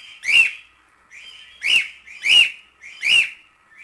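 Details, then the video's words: Shrill whistled contact calls of a cockatiel, four bright arched notes at uneven intervals, with a low steady hum underneath. "SOM DE CALOPSITA"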